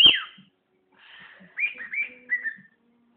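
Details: A pet bird gives a loud sharp downward note, then a quieter series of four quick rising-and-falling high whistles close together.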